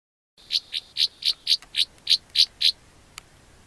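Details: Northern rough-winged swallows, two birds perched on an open car door frame beside a dirt cliff where they nest in cracks, recorded up close on a point-and-shoot camera: a series of nine short buzzy notes, evenly spaced about four per second.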